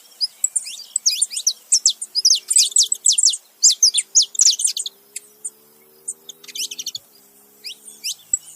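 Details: Male and female saffron finches together, chattering busily with rapid, high, sharp chirps and short downslurred notes, dense at first and then thinning into scattered tweets.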